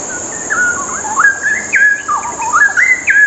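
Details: Straw-headed bulbul (cucak rowo) singing loud, rich warbled whistles in bubbling phrases that rise and fall, with a steady high insect-like hum running throughout.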